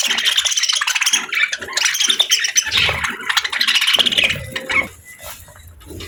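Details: Pet budgerigars chattering in a fast, scratchy warble of chirps and squeaks, continuous for about five seconds before fading, with faint low thumps underneath.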